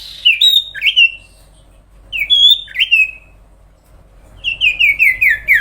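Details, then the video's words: A sooty-headed bulbul delivers two bubbly whistled phrases, then a rapid string of six falling notes, all clear and loud against a quiet background. "cipow/ sirtu gacor suara panjang sampai konslet"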